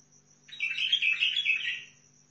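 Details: Sihani bulbul from Al-Faw, Basra, Iraq: a loud, bright burst of chattering, warbled notes lasting about a second and a half, quickly rising and falling, with a faint steady insect buzz and low hum behind.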